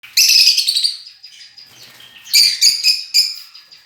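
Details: A pied cockatiel gives harsh, screechy chirps in two quick bursts separated by a short pause.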